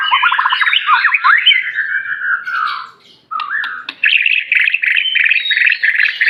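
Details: Aceh white-rumped shama in full song: fast, dense rolling warbles and chattering trills, a short pause, then a rapid continuous stream of scratchy, varied notes.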